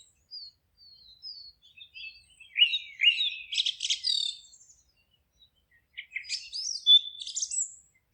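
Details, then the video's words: Forest birdsong with soft, thin high whistles at first, then a loud, dense chirping phrase of rapid sweeping notes, a pause, and another lively twittering burst with a sharp whistle. "Forest relaxing sounds of singing birds"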